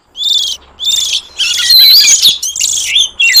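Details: Wild forest magpie-robin sound used to lure wild birds: separate rasping, buzzy bursts at first, building into a loud tangle of whistled rising and falling notes mixed with harsh chatter.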